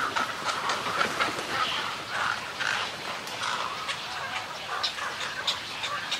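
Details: Snowy egret colony calls and greeting calls: a dense chorus of overlapping harsh, rasping croaks, many birds at once, with continuous clattering texture throughout and no pauses.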